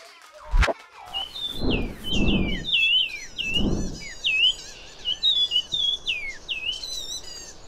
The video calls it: Yunnan Fulvetta